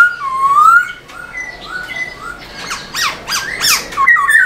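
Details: Black-throated laughingthrush singing while dancing its tail, giving clear, rising whistles, then a burst of harsh, scratchy notes and a few sharp squeaks, sounding as if indoors.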